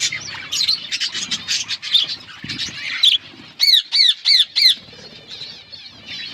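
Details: Budgies chattering, a fast run of clipped squawky chirps followed by four loud, evenly spaced arched calls, then quieter warbling chatter from the group.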